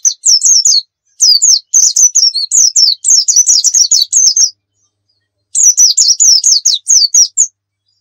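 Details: White-eye singing in the rapid 'nembak' style, intended as a lure: bursts of fast, high, zigzagging twitters separated by short silences, with a second long burst after a one-second pause.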